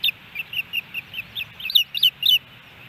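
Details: Osprey at a Hellgate Canyon nest in Missoula, Montana, July 13, 2018, during fish deliveries; a brief run of high, shrill chirps, softer at first and then louder and closer together.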